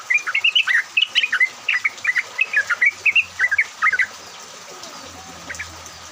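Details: Yellow-vented bulbul song played as a lure to prompt other bulbuls to sing, in rain; rapid bubbling, liquid notes in quick bouncy chatter for four seconds, then near quiet with a faint low hum.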